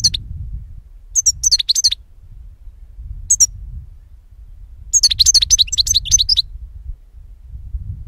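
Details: European goldfinch song from a recording meant to lure birds for capture: short bursts of liquid, twittering high notes at about 1, 3.3 and 5 to 6.4 seconds, separated by pauses, over a steady low rumble.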